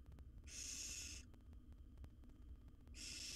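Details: A barn owl nestling, wild and in a nest box, swallowing a rat quickly, gives loud rasping hisses of about three quarters of a second, spaced roughly two and a half seconds apart, with faint ticking and low hum underneath.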